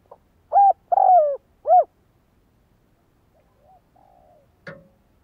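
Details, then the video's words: Spotted dove used for decoy training, a quick series of three hollow notes, the middle one drawn out and falling, then a faint soft coo and a click. "Tiếng Chim cu gáy Luyện mồi tập bổi chuẩn"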